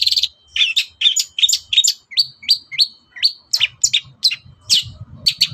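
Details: Long-tailed shrike singing in the morning to stir other birds into answering: clipped high chips, then a series of sharp rising whistled notes about every half second, and closing chatter, with soft low background noise.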